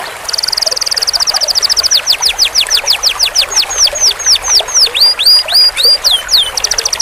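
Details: Canary performing a long roll for training: a dense rapid trill for over a second, slowing into evenly spaced downslurred whistles about twice per second, ending with looping high notes.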